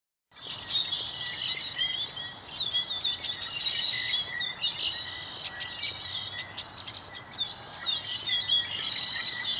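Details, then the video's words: Many birds chirping and chattering together in a tree around 4:45 pm MST as sunset approaches; dense, sharp, high chirps overlap continuously with brief louder bursts, over a faint low steady background rumble. "Birds Chirping While Sunset is Approaching"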